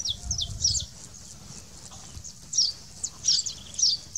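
Saffron finch singing short bursts of high, sharp chirping notes with pauses between phrases, over a low background rumble.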